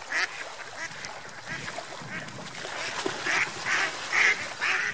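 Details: Ducks on a lake, swimming and flying: a run of short, harsh quacks centred mid-high, loosely repeated about twice a second and growing louder toward the end, over a low rustle of water.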